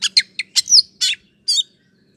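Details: Oriental magpie-robin sound meant to spur a slow bird into responding: a few short harsh chattering bursts and scratchy notes separated by brief pauses.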